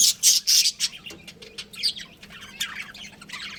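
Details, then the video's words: Budgerigars from a breeding pair chirping; three loud harsh squawks open, then softer scattered twittering chirps. "Adorable Budgies Chirping Sounds"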